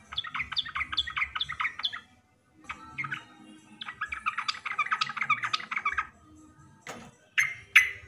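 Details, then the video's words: Yellow-vented bulbul calling to provoke reluctant or young bulbuls into song: rapid bubbly chattering runs, a short gap, then a longer warbled stretch, ending with a couple of sharp separate notes. "Suara Panggilan BURUNG TRUCUKAN ampuh untuk memancing burung trucuk malas bunyi atau trucuk bakalan"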